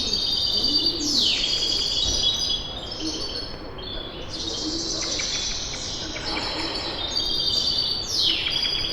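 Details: Early-morning bird chorus in Kipseli, Athens, Greece, taken on a Zoom H5 recorder: busy overlapping chirps, trills and steeply falling whistles, with a faint low coo early on and continuous background hum.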